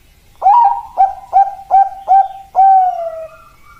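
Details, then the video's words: Bangkok-type zebra dove (perkutut) phrase of a bright rising opener, four crisp coos at steady intervals and a long, slowly descending last note. "Perkutut Bangkok"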